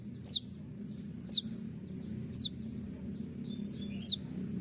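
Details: Moulting konin giving 'tembakan' shot-like song as a master recording for training birds: a single shrill, very high, falling note roughly every second, followed by soft high chips, with steady low background hum.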